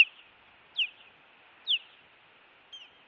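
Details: Osprey on a Montana nest, filmed by a live nest camera on 16 June 2017 while an intruder was about. Three clear, high whistled notes slide sharply downward, about one per second, followed by a fainter fourth.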